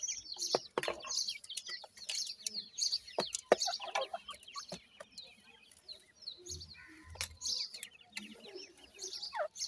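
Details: Feeding francolin chicks, Dakhni and Desi teetar, in captivity: rapid, irregular high cheeps from several birds, with pecking clicks and soft scuffling.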